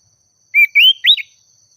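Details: Pied triller (sirtu), a loud song bird calling out to a rival and agitated, gives three clear whistled notes: a short level note, a longer rising note, then a sharp upswept one, in a quiet setting with a faint steady hiss.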